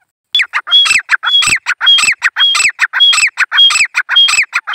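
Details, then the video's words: Wild grey francolin calling: loud, harsh, rhythmic calls, a repeated grating phrase with sharp high notes cycling about once a second, filling the clip. "Gray Francolin Bird king#teeter boli karte hue"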